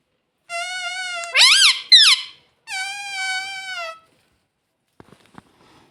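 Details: Pet parrot that talks, said to call "mummy"; long steady squeaky tones broken by two sharp wavering bursts, a pause, another sustained squeaky note, then faint clicks.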